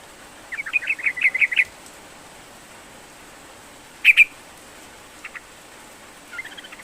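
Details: Sooty-headed bulbul song used to prompt a reluctant bird to sing: a quick chirpy phrase of bright notes, then a short loud double note, then faint chirps and a closing warble over steady hiss.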